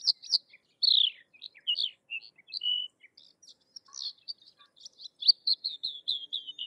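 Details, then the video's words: Sykes's lark, a crested lark of dry open country in India, singing: varied high chirps, slurred whistles and short buzzy notes in a rambling, irregular phrase, ending in a run of quick descending notes. "Sykes's Lark or Twany Larks Singing - Songs - Call - Sounds"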